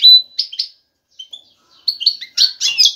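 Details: European goldfinch male courting a female with excited song. A few clear chirps, a pause, then soft notes building into rapid, bright twittering phrases at the end.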